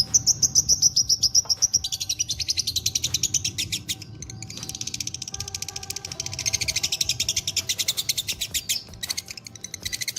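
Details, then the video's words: Lovebird of fighter type keeping up a long ngekek, a continuous fast run of piercing high chirps lasting nearly the full stretch with only brief dips. "love birds faikter dobelan minor top ngekek durasi panjang gacor"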